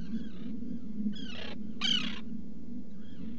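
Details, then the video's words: Black guillemot at its nest burrow in a rock crevice on Seal Island NWR, Maine, summer: a few short harsh calls with stacked harmonics, each about a quarter to half second, over steady low hum. "Guillemot Burrow Cam"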